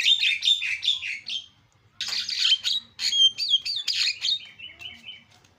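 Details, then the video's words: Javan myna singing a string of buzzy, warbling phrases, then a short pause, then whistled slurs and a trailing series of thin chirps. "SUPER BERISIK JALAK KEBO SUARA ISIAN"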